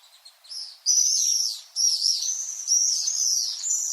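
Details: Loud, piercing screams of common swifts, long buzzy trilled notes of a second or so, repeated back to back with brief gaps, very high and sharp.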